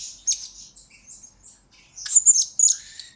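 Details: Blue-crowned hanging parrot, recorded as a lure and master for training birds: a sharp squeak, then soft thin high notes, ending in a loud cluster of piercing chirps; no other sounds stand out.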